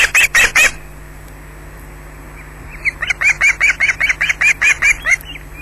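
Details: An osprey squawks during an attack at a nest in Scotland, caught by a wildlife camera: three harsh high squawks, a lull, then a sustained run of shrill, evenly spaced calls over faint hum.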